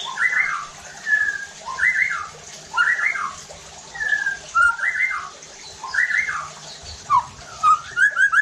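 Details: Captive White-rumped shama singing loudly, played as a lure to provoke rival shamas into singing: rich slurred whistled phrases repeated roughly every second, ending in quicker short notes.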